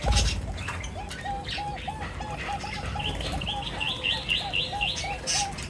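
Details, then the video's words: Birds feeding together: a continuous chain of short mid-pitched notes runs throughout, joined halfway by a faster series of high, bright chirps, with some rustling and wing flutter. "Birds Feeding Time Sounds | Birds Chirping sounds"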